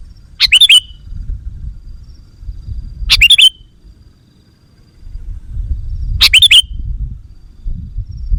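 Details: Sooty-headed bulbul lure call used to attract wild birds: short bursts of bright, chattering notes with a quick downward flourish, repeated about every three seconds, with low rumbling background noise between bursts.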